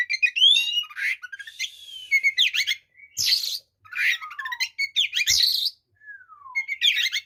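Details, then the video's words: White-rumped shama singing aggressively to provoke other shamas: sweeping whistles, rapid chattering bursts, harsh rasps and occasional long descending whistled slides, nearly continuous. "SUARA BURUNG kacer gacor TARUNG FULL ISIAN ini PALING AMPUH MEMBUAT KACER EMOSI"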